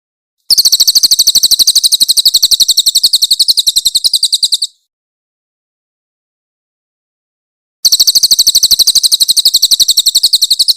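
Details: Master audio of a Grey-headed canary-flycatcher (cililin), a bird said to sing louder whenever other songbirds call, giving rough bursts. A long, shrill rapid trill, about three seconds of silence, then the same fast trill returns.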